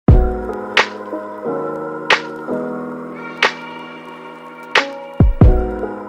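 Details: Rhythmic music of sustained tones punctuated by sharp percussive slaps about once a second, with no animal sound.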